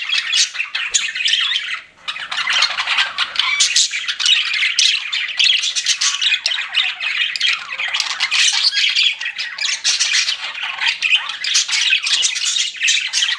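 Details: A group of pet budgies chirping nonstop. Harsh, scratchy warbling and clicking chatter runs throughout, with a brief lull near two seconds before the busy chorus resumes.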